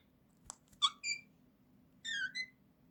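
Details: Pet Indian ringneck parakeet, talking parrot indoors; a sharp click, then two bursts of squeaky, tonal, whistle-like syllables, rising and falling.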